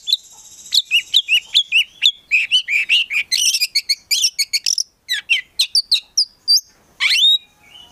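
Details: Oriental magpie-robin kept in a collection, delivering a long, dense song of rapid chips, slurred whistles and trilled phrases, then sparser sharp notes and a final rising sweep.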